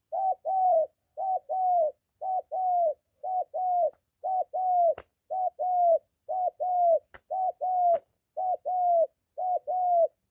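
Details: Spotted dove, molting decoy under training near home, meeting a wild male; long steady series of rhythmic coo pairs, about one pair per second, with a few sharp clicks.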